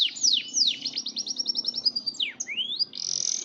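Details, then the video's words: Yorkshire canary singing a long rolling song: high downward-sweeping whistles, then a rapid run of repeated notes, more sweeps and a rising slur, ending in a dense buzzy trill. "Kenari yrokshire ngerol nggulung panjaaaaang banget"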